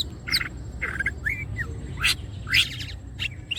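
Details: Greater green leafbird singing vigorously with wings opened, mixing harsh scratchy bursts, short whistled slurs and sharp high chips at an uneven rapid pace.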